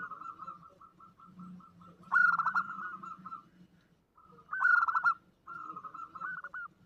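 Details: A zebra dove (perkutut), presented as a lure recording of a female calling a male, gives soft staccato cooing notes, then bursts of rapid trilled, rolling coos in short phrases, over a low background hum.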